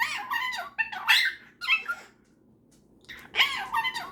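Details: Indoor pet cockatiel and superb parrot talking to each other before bed: harsh, squeaky chattering bursts with a pause of about a second before a final warbled phrase.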